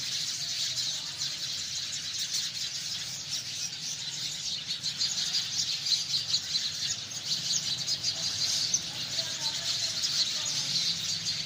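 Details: Sparrows chirping together in a dense, continuous chorus of high, overlapping chirps and twitters with no pauses, outdoors, with a faint low rumble beneath.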